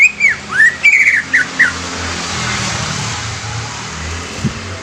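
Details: Greater green leafbird singing a short run of bright, swooping whistles and slurred notes in under two seconds, then a long stretch of steady background hiss with low rumble.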